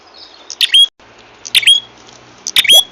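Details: Lure call of the prenjak kepala merah, used for bird trapping: repeated bursts of clipped high chirps, each closing with a bright upward-sweeping whistle, about once a second, over a low hiss.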